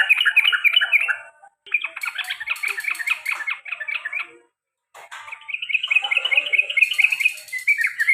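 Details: Sooty-headed bulbul in long 'ropel' and garuda-style song: dense, rapid chattering trills running for several seconds with a brief pause, plus some rustling clicks.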